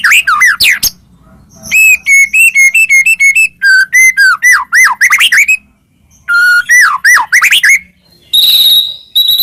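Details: Medan white-rumped shama delivering a song full of mimicked phrases, intended as a master for other shamas; chains of repeated whistled notes and looping slurs in varied phrases, separated by brief pauses, ending with a high buzzy note.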